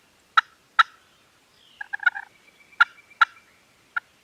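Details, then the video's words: Turkeys gobbling at a farm, Canon G7X recording: scattered sharp harsh bursts, with a softer stuttering run of lower notes in the middle and a faint thin whistle. "Turkeys Are Gobbling"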